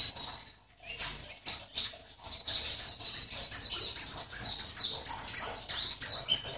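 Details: Caged white-eye from Sambas, West Kalimantan, entered as participant 16 in an online singing competition: a short high note, a pause, then a fast, continuous stream of thin, high twittering phrases.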